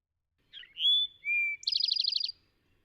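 Eastern Towhee song: two clear whistled notes, the second lower, followed by a fast buzzy trill, the familiar 'drink your tea' pattern.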